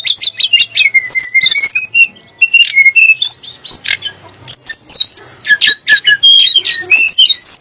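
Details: Sunda blue robin singing, a song said to agitate Oriental magpie-robins and shamas; rapid strings of high, descending whistled notes give way to sharp chips and bright, rising slurs in a busy, nonstop flow.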